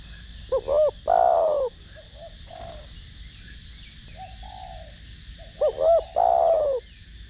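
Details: Thổ đồng-voiced spotted dove cooing to stimulate other doves: a phrase of two short hooting notes and a long downslurred coo, soft murmured notes in between, then the phrase repeated.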